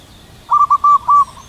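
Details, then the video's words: Wild local zebra dove in the cool morning air, perched high and singing a long, loud echoing song: four clipped coos, with the last one drawn out, then a fading echo. "Perkutut lokal manggung gacor suara panjang menggema keras di angkasa"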